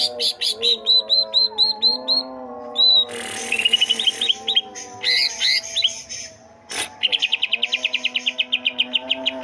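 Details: Chatty greater green leafbirds, twelve birds singing vigorously, a species known for mimicking other birds: varied whistled notes, a harsh rasping burst, tumbling chirps, then a fast even string of about twenty sharp notes over low steady tones.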